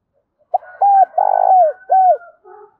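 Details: Spotted dove giving its urging and calling coos; a short, soft phrase of low hooting notes, including a longer vibrating middle note, ending with a quiet falling coo.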